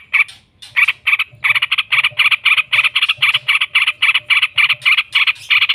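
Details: Long ngekek chattering from a vigorously singing yellow-vented bulbul, a lure to make other bulbuls answer: a steady stream of rasping, evenly spaced notes, roughly four per second, after a short hesitant start.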